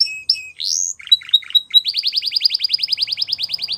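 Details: Spanish Timbrado canary singing: short whistled notes and a rising sweep, then a metallic chattering section and a long fast trill of repeated rising notes, about eight per second, clean with no other sounds.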